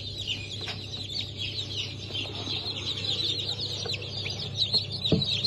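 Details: Day-old chicks from a 15 March 2024 hatch of Cream Legbar, Sultan and Maran Couper chickens peep in a busy high chorus, with a low hum and a few soft knocks.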